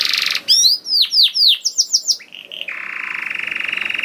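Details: Canary song used to coax other canaries into singing: opens with a buzzy rasp, then quick descending sweeps, a run of short rising chirps and a long steady buzzing trill.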